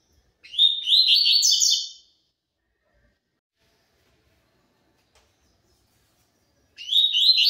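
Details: Double-collared seedeater, pure tui tui zel zel song style: one complete rapid twittering phrase of about one and a half seconds, then a long silence and the start of the next phrase.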